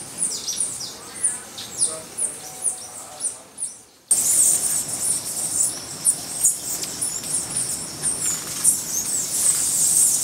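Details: Green honeycreepers, male and female, at the Buenaventura reserve in Ecuador in July 2012: thin, very high, slightly falling notes, about two or three a second, then a dense high buzzing insect chorus.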